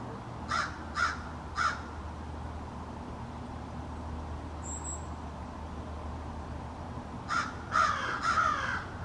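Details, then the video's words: A small family of American crows in a backyard in extended conversation, each individual's call differing: harsh, nasal caws, three spaced calls, then a ragged burst of four or five near the end, over a low steady rumble. "American Crows Calling"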